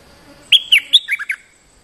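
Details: A territorial bulbul, the resident bird fiercely jumping at a lure, gives a short burst of six sharp, clear chirped notes, the first three longer and sliding, the rest quick and lower, over a quiet background.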